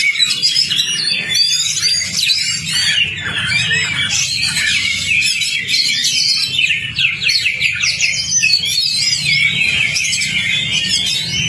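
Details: Oriental magpie-robin singing on a tutor recording made to coax a stalled caged bird into song: long, unbroken stream of varied whistled trills, twittering runs and sharp slurred notes, with a faint low hum behind.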